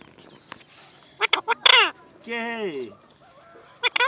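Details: Parrot talking, with short harsh word-like syllables, a drawn-out falling harmonic phrase and two quick clipped notes at the end, in a quiet room.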